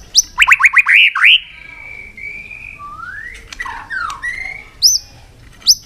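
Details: White-rumped shama pushed into fighting song, opening with a quick burst of five or six rising whistles, then long drawn whistles, a rising slur and brief high notes.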